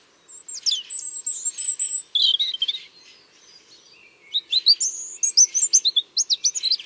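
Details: European robin song in Tsaritsyno park, Moscow, on a cool cloudy morning, 30 March; several robins singing at once while chasing each other, likely mostly migrants: high, thin, tumbling sweet whistles and trills, in two bursts separated by a short pause.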